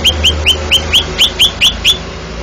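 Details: Eight ringing upslurred whistles, steadily repeated about four per second, from a champion contest greater green leafbird in Banten, Indonesia, over a low background rumble.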